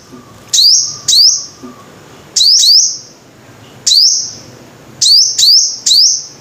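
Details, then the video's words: Five-coloured sunbird song in spaced bursts: paired, sharply rising, shrill notes held briefly at the top, three pairs and a closing triplet over six seconds, separated by quiet pauses with a faint low hum. "Tiếng chim hút mật 5 màu"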